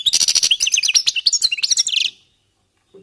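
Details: Warming-up goldfinch song: a dense, rapid stream of ringing chirps and trills lasting about two seconds, bright and metallic, tapering into a short descending twitter before silence.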